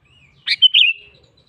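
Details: Single bright phrase from a sooty-headed bulbul calling out to a rival: a sharp burst followed by a sliding whistled note that trails off, preceded by a faint thin whistle.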